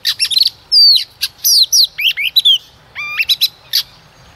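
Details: A female Oriental magpie-robin, used as a lure to stir males into singing, gives a rich, varied song of clear whistles, sharp slurred notes and quick chirps, bright and high, with brief pauses between phrases.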